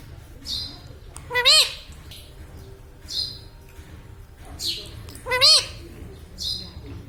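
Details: Laughing Indian ringneck parakeet kept as a talking pet: faint airy squeaks every second or so, broken by two loud, stacked, upward-bending calls about four seconds apart.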